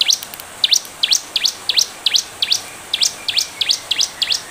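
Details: Lively bar-winged prinia song meant as a lure to prompt fast responses from other birds: steady, rapid high chirps, each a quick bright downslur, roughly seventeen in under five seconds, evenly spaced and loud against faint hiss.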